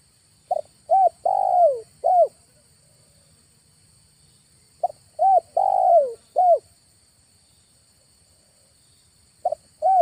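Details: Spotted dove lure call played in August to attract calling doves at a trapping site near a village: cooing phrases of short hoots and one long, downslurred coo, repeated about every four seconds.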